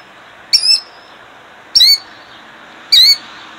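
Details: Killdeer, a female defending her eggs in Jackson, New Jersey, 2008: three loud, shrill, high notes, each brief and slightly slurred with harmonics, spaced about 1.2 seconds apart over a steady faint hiss.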